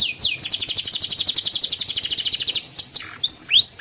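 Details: Canary master song used to teach young canaries and revive birds that have stopped singing: a fast, even rolling trill lasting over two seconds, followed by a few swooping whistles.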